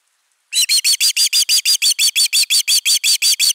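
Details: Osprey defending its nest, camera #3, 31 August 2021. After a short silence, a sudden, continuous run of strident whistled notes begins, evenly spaced at roughly three per second.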